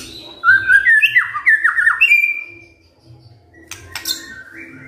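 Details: White-rumped shama kretekan fighter, a song style for drawing replies from quiet shamas: a rapid run of descending whistled slurs ending in a long drawn note, followed by a pause and a few sharp clicks.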